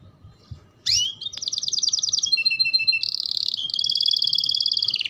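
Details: Canary in full, lively song: a sharp upward sweep, then fast trills of buzzy repeated notes that shift between pitch levels and end in a long, rapid, high rattle falling at the close.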